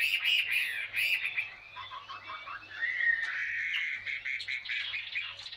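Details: Caged Chinese hwamei, a wild-caught adult held two years, gives varied warbling song phrases that dip and rise, loud at the start, then a softer wavering stretch, over a faint low electrical hum.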